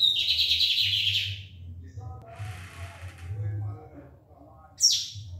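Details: Lined seedeater singing the barbado style of song: a dense buzzy phrase lasting about a second, followed by a man talking and then a brief sharp descending note at the end.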